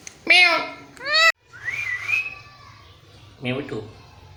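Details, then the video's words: Pet parrot mimicking a cat's meow, giving short harmonic meow-like notes followed by a wavering rising whistle and a brief nasal call, in an indoor setting. "Parrot talking in cat voice"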